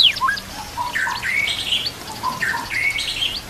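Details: Short white-rumped shama training passage with inserted kapas tembak and canary: descending whistles, low clear notes and buzzy rising phrases, repeated twice in a similar pattern.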